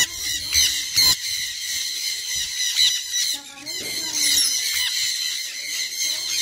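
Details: A sun conure screeches shrilly and harshly, with loud bursts roughly every couple of seconds over a steady high-pitched rasp; some indistinct background sound.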